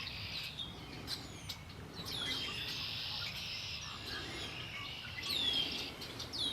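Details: Birds singing by Lake Erie: several thin, high, sweeping chirps and whistles over a steady background hiss, with a constant low outdoor rumble.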